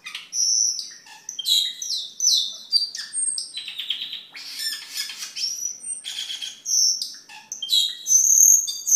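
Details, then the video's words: Continuous gacor song from a cucak keling, meant as masteran and pikatan: dense high chattering, quick whistled notes and harsh buzzy trills run on for nine seconds with hardly a break. "Suara Burung Cucak Keling Gacor untuk Masteran dan Pikatan"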